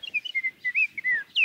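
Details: A male Scott's Oriole sings in desert woodland at Juniper Hills, Big Rock Creek, Los Angeles area, a summer visitor arriving around late March: a quick run of rich, fluty whistles slurring up and down, ending on a bright downslurred note.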